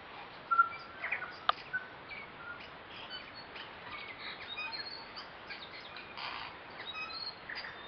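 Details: About eight tui socialising in a kowhai tree on the Karekare falls hike, Waitakere hills, West Auckland, in September spring, recorded on a compact camera: loud clicks and pure whistles early, then a steady overlapping chatter of varied notes.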